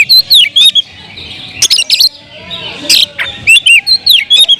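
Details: Kacer, the Oriental magpie-robin, singing in captivity. Fluty, curving whistled notes alternate with scratchy bursts, loud at the start and end with a softer stretch in between.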